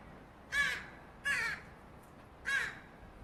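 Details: Young Northwestern crow begging for food: three rasping, nasal caws in quick succession, roughly every second, each short and harsh against a quiet background.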